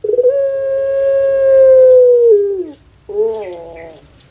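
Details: Kept Pelung turtle dove holding a long, pure, steady hoot for over two seconds that slides downward at the end, followed by a rougher gurgling note.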